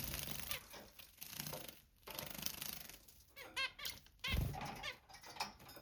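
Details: Pet zebra finch bathing energetically. Loud splashing and wing-fluttering fill the recording, and a short run of nasal, stacked-harmonic calls breaks through briefly near the middle, mostly masked by the water noise.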